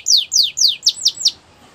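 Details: Short canary training song phrase for young birds: six loud, clear whistled notes, each sweeping sharply downward, given in a quick even series before falling silent.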